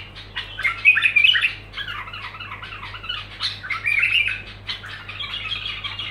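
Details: Nonstop bulbul song made of quick squeaky chirps and liquid warbled phrases, rising into two louder bursts, over a steady low hum.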